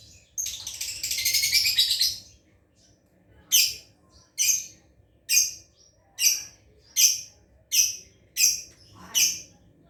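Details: Lovebird learning to chatter: a two-second burst of dense, high scratchy chatter, then seven short, sharp, high squeaky calls spaced about every second.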